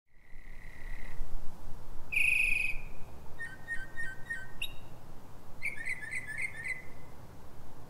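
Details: Northern mockingbird singing in pre-dawn darkness at 03:44 in Silver Spring, Maryland, USA: a sustained whistled note, then a bright harmonic-rich burst, then rapid stuttering repeated notes and a trilled phrase, each phrase different.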